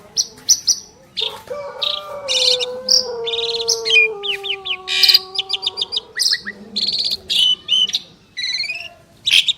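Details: Two champion Asian pied starlings duet with bursts of harsh chattering, short rising whistles and scratchy squawks, while a low drawn-out tone holds beneath for several seconds early on.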